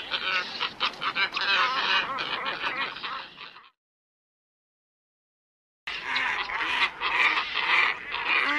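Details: Lure call of black-headed ibis for trapping birds, a busy chorus of harsh, nasal croaks and honks, broken by about two seconds of silence before the clamour resumes.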